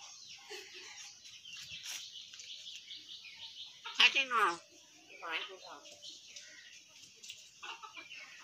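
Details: Talking pet hill myna mimicking human speech, reportedly telling someone to perform prayers, in short voice-like phrases with one loud harsh burst near the middle. A steady high hiss runs underneath.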